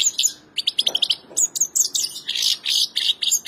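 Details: Goldfinch singing a rapid, bright twittering song of high tinkling notes and short buzzy trills, delivered in quick bursts with brief pauses, clean with no other clear sounds.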